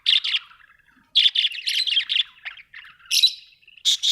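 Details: Domestic budgies produce a steady stream of scratchy, buzzy chirps and softer chattering notes, nearly continuous, with a few louder sharp calls.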